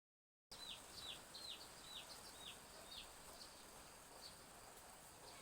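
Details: Chicks behind a village house in Indonesia on a drizzly morning: a quick series of high, thin, downslurred peeps, about two a second, fading after a few seconds, over a soft hiss of light rain.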